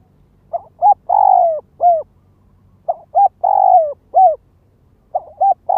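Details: A spotted dove used as a ground lure coos in the gáy gọi, thúc and kích bổi manner: short double notes, a long sustained falling coo and a final clipped coo, repeated roughly every two and a half seconds.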